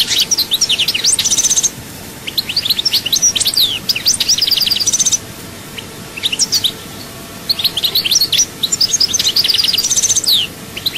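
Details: Chaayba-style song of a European goldfinch, Souk Ahras, Algeria: three long bursts of high, rapid twitters, liquid trills and rattles, each lasting a couple of seconds, with short gaps between them.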